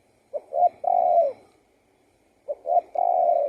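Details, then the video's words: A spotted dove sings soft, low cooing phrases of two short notes then a long drawn-out coo, repeated twice in quiet surroundings. "BIRD SINGING"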